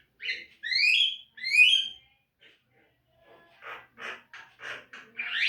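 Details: Javan myna training song recording, played to make caged birds sing diligently: two loud whistled phrases, each sliding upward with a high overtone, followed after a pause by a series of short harsh buzzy bursts ending in a rising rasp.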